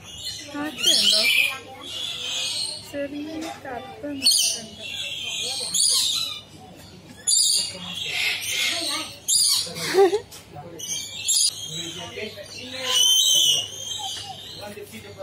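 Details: Lories at feeding time in the tall Lory Loft aviary, Jurong Bird Park, Singapore, give repeated shrill, grating screeches in short clustered bursts with brief gaps, mixed with visitors' voices and occasional knocks.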